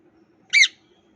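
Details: Parrot in India giving one short, harsh squawk lasting about a fifth of a second, rough and buzzy with stacked overtones, set against an otherwise quiet background with a faint low hum.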